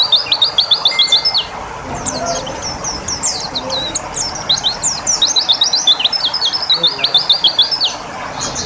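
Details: White-eye undergoing water therapy so it sings fast: sharp, evenly spaced high chirps in quick series, then a busier jumble of twittering notes, with soft background murmur.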